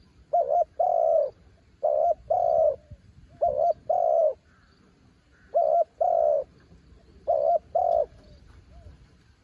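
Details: Branch-decoy spotted dove coos steadily, five two-part phrases about every two seconds, each a short wobbling note, then a fuller sustained coo; quiet background.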